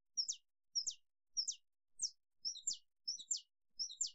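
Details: Saffron finch (Sicalis flaveola) giving a steady series of sharp, high chipping notes, each a quick double-note phrase repeated about every two-thirds of a second.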